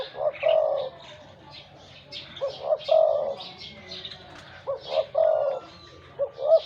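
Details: A wild-caught decoy spotted dove with a large voice coos in repeated phrases of short notes and a drawn-out coo. Higher chirps and whistles from other small birds are scattered through the background.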